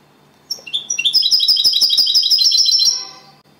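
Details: Singing-champion European goldfinch, runner-up, delivering copia Malaga style song: a few clear rising chips lead into a fast, even trill of bright, ringing high notes lasting over two seconds, then stopping.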